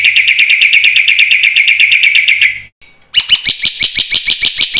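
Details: Black-winged myna song intended to get silent mynas singing: a fast, buzzy, rattling trill with a low hum beneath, a brief gap, then a series of sharp, regular chattering notes.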